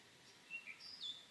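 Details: Australian gerygone, or bush canary, among trees and bushes with pink boronia flowers: a short run of thin, high whistled notes, two brief lower whistles followed by a longer, higher sliding whistle, over faint background hiss.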